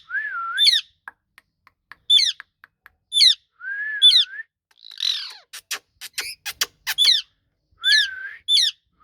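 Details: Talking ringneck parrot repeating swooping whistles with piercing high chirps, interrupted by a harsh squawk and a burst of sharp clicks before the whistles resume.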